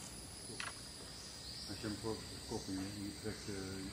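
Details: Bushy-crested hornbill group resting and preening in shade in the canopy at Lower Kinabatangan in the hot afternoon, giving short nasal yelping notes in quick bursts about every half second over a steady high insect drone.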